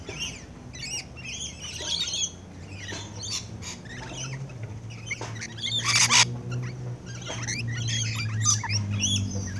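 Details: Rainbow lorikeets (Trichoglossus moluccanus) feeding close-up give shrill, screechy chatters and squeaks in quick bursts, with one louder harsh screech; a low steady hum runs underneath.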